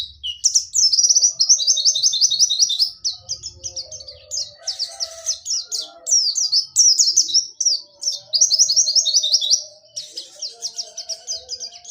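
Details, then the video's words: Rolling ngerol nembak song of a dakun white-eye from Pacitan: quick strings of bright, high chirps repeated in tight bursts, some stretches almost trilled, with brief gaps between phrases. "DAKUN PACITAN NGEROL NEMBAK"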